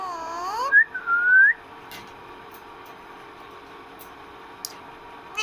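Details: Pet parrot indoors, talking with its owner. A brief voice-like harmonic utterance leads into two clear rising whistles, followed by a quiet room with faint clicks.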